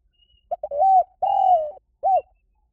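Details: Cooing of a spotted dove played to attract birds: two quick short notes lead into a long smooth coo, then a longer falling coo and a final rounded short note, all low and mellow.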